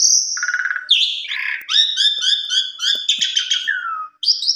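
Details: Excited Asian pied starling responding to a rival with a long song of whistled notes, grating rattles and rhythmic chattering trills that drop in pitch, then a high whistle.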